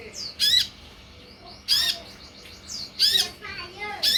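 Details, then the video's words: Grating high squawks from an olive-backed sunbird lure, about four in the span, alternating with thin rising whistles and soft twittering chatter, intended to make birds respond. "SUARA PANCINGAN DAN MASTERAN UNTUK SEMUA JENIS KOLIBRI YANG AMPUH MEMBUAT KONIN NYAUT DAN IKUT GACOR"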